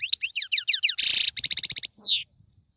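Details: European goldfinch, tiwawati, galoubi and serfati song. A rapid series of descending slurred chips leads into a dense buzzy burst. Quick rattled notes follow, and a falling whistled note ends the phrase.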